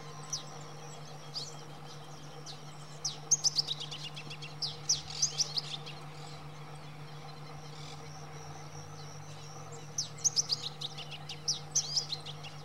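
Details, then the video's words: A Masked Yellowthroat (Geothlypis aequinoctialis) in Esperanza, Santa Fe, Argentina, on 2 November 2021, sings short bursts of high, rapid, sharp chirping notes in two phrases, with faint other birdsong and a steady low hum behind. "Arañero Cara Negra (Geothlypis aequinoctialis)"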